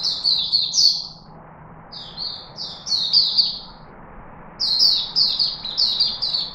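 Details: Singapore Chickadee, 4 March 2021, giving clipped, high, falling chirps in short phrases: a run, a pair of notes, another run, then a steady rapid series, against a soft background hum.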